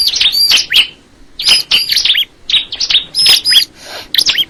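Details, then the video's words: Bar-winged prinia repeating short, busy phrases of squeaky chirps and curling high whistles, each phrase under a second, spaced by brief pauses. "the sound of the crystal ciblek bird"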